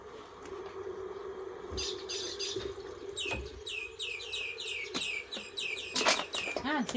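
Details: Sparrow calling: bursts of quick, bright chirps, each dropping sharply in pitch, come in close runs for several seconds. A person's voice and a few clattering knocks sound alongside.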